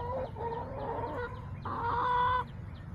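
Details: Backyard chickens recorded on July 17, 2024, on a backyard chicken camera. A hen gives drawn-out, nasal, harmonic clucking notes: a wavering phrase for about a second, then a louder, steadier note, over a low rumbling background.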